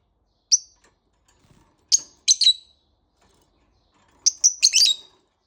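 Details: Lovebird calling in the morning: short, shrill chirps, first a single note, then a pair, then a quick cluster of four or five, with quiet gaps between.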